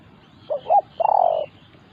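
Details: Spotted dove in an encounter between a decoy and a wild resident bird. Two short hollow coos are followed by one longer, buzzy, slightly wavering coo in a brief phrase.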